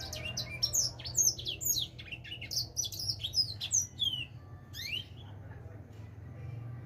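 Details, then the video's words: Fast, varied twittering from a four-month-old edel sanger finch just starting to sing: sharp downslurred chirps packed together, then a rising note and quiet background hum. "Kicau Burung edel Sanger Umur 4 bulan mulai gacor"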